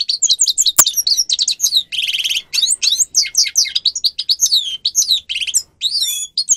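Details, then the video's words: Unbroken song from a grey-crowned goldfinch for training captive birds, with rapid tinkling twitters, a buzzy rattle, many swooping slurred notes and a brief sharp click early on. "Goldfinch song"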